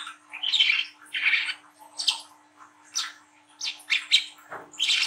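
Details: Brown-throated sunbird, a young bird, in lively chattering ngriwik song used to spur young birds to sing. Rapid bursts of rough, buzzy high notes alternate with brief pauses, with a constant low hum behind.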